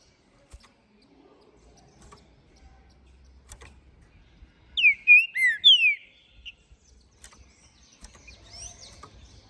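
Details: Captive, ringed green-winged saltator from Minas Gerais in full song after moulting, giving a strong phrase of four rich whistled slurred notes over about one second, then quiet with faint distant chirps and low hum.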